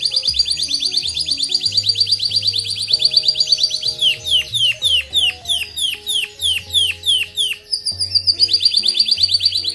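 A Black Red Mosaic canary sings high, rapid rolling trills, then a run of sharp downslurred notes about twice a second, over soft background music.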